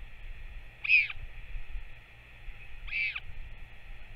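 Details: Northern royal albatross parent feeding its chick, recorded 21 May 2024. Two high, arched, whining calls come about two seconds apart against a constant electrical hum and a low background rumble.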